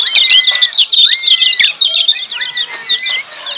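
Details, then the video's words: Loud, busy 'ciak' chatter of lemon-bellied white-eyes: a dense, unbroken stream of quick, high twittering chirps over repeated rising and then level whistled slurs, used to train caged birds. "Masteran Kecial Kuning Ciak Joss RIBUT RAME"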